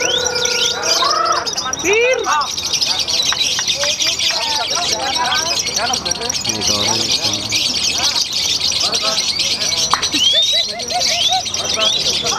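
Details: Lovebirds at a songbird contest in Semarang, Indonesia, chatter in a dense, shrill, nonstop stream of high squeaks, buzzes and quick rising whistles, with many birds calling at once and faint voices beneath.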